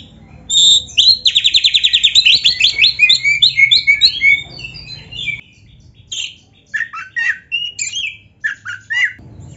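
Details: Kacer (Oriental magpie-robin) in vigorous, richly varied song for training caged birds. A clear whistle leads into a long, rapid, buzzy trill and tumbling warbles. After a pause come separate sharp chips and squeaky notes.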